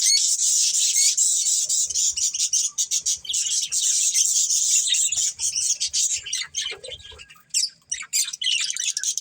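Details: Budgerigar breeding pair chirping: dense, continuous high scratchy chatter and twittering with rapid irregular notes, a few louder squawky bursts near the end.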